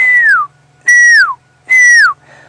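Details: Pearl-spotted owlet (Glaucidium perlatum) calling in the background at sunset on a safari drive: three clear whistled notes, each sliding down in pitch, spaced just under a second apart, over a faint low hum.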